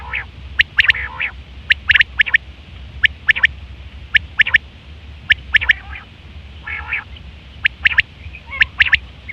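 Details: Common quail call used for mating and hunting, September 2023: steady clipped triple notes repeated roughly once a second, broken by a couple of coarse, buzzy grating calls.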